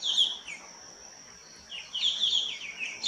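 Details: Square-tailed bulbul at Nelliyampathy, Kerala, India, in hill forest, giving high, squeaky, down-slurred notes in two quick bursts, over a steady thin high hiss in the background.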